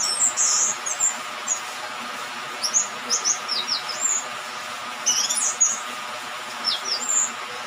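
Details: Orange-headed thrush past the speckled juvenile stage, singing in dew and rain: sharp, high, rising and falling whistles and squeaks in short clusters over constant rain noise.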